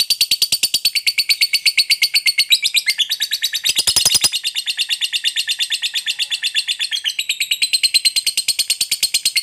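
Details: Lovebird fighter giving a long ngekek chatter meant to provoke other lovebirds into answering: a fast, steady string of high, buzzy chattering notes, nearly three per second, running unbroken throughout with a brief harsher burst midway.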